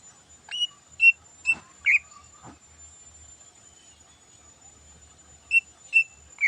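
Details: Morning song of a cucak ijo, the greater green leafbird, a song full of learned phrases. A few clear whistled notes and a couple of sharp clicks are followed by a quiet pause, then three more whistles.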